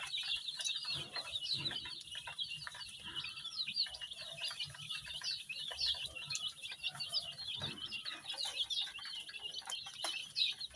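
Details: Coloured baby chicks, shaded red, yellow, green, pink, purple, orange and white, giving a steady stream of thin, high peeps, many birds calling at once in a busy, even chatter.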